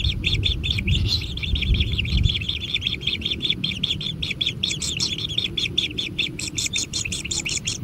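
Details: Nestling kingfishers at a natural nest during feeding, calling with a dense stream of shrill, buzzy chirps that come quickly and unevenly over a low background hum.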